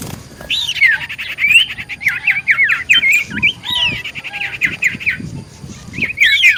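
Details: Common iora singing as a lure meant to draw replies: a long run of lively, wavering whistled notes mixed with buzzy rasps, steady and energetic throughout, with a faint low background rumble.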